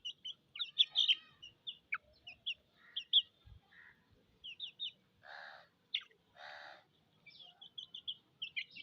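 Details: Chicken chicks peep from thirst in quick, high, falling notes, joined midway by two harsh, broad, rasping calls about a second apart.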